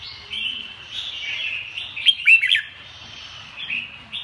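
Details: Red-whiskered bulbul: a soft, steady warble rising to a brief burst of sharp, falling whistles in the middle, then easing back to quiet chatter.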